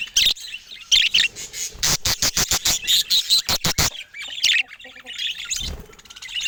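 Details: Pet budgerigars showing love to each other: bright chirping bursts open and close the passage, with a run of loud, evenly spaced clicking taps through the middle.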